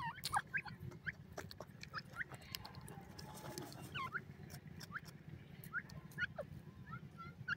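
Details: Feeding francolin (teetar) chicks give thin, upward-sweeping cheeps at irregular intervals, alongside many dry clicks and taps and a constant low hum.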